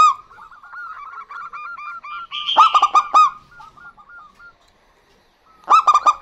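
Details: Two local zebra doves, female and male, duetting: a run of soft, evenly paced coos, then a loud cluster of rich cooing notes, a pause, and another loud cluster.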